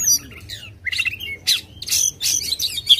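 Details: Oriental magpie-robin singing aggressively with tail spread, a recording used as a lure to get a silent bird singing; short bursts of high whistles and chirps with brief gaps between phrases.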